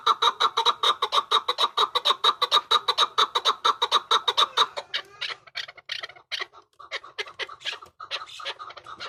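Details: Rapid, rhythmic chuk-chuk calling from a hybrid chukar, loud clucking notes repeated about twice a second for five seconds, followed by a ragged, softer mix of notes and rustling.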